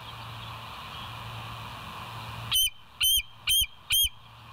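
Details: Bald eagle at West End, recorded at 06:59 on 24 September 2023 by a live nature cam: low hum, then four sharp, high whistled notes with a downward hook, spaced about half a second apart.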